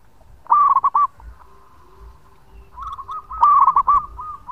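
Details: Local zebra dove singing actively with long phrases, recorded for use as a lure: two rolling coo bursts of quick, bouncing notes, the second longer and trailing into softer follow-on coos.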